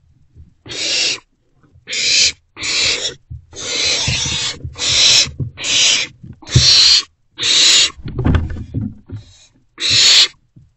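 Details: Nest box holding three owlets, 13 April 2024, between 1 am and 12:46 pm: repeated grating hisses almost every second, with continual low scuffling, shuffling and knocking sounds from the birds moving about.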